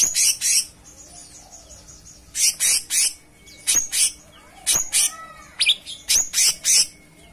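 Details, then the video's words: Cucak cungkok singing in bursts of sharp high chirps, with quieter thin whistles and a rising slur between the louder phrases. "Gacoran Burung Cucak Cungkok Istimewa"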